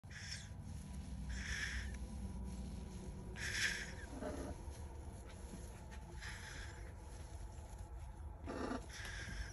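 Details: Pet parrot hissing contentedly while getting head scratches, a sign of happiness: soft, breathy hisses come in short bursts every one to two seconds over a low background hum.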